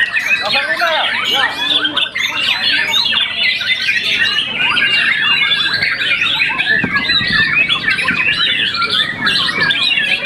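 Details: Young captive-bred White-rumped shama after its first moult, a contest champion, sings a dense, unbroken torrent of varied high whistles, trills and rapid slurred notes, with barely a pause across the whole stretch.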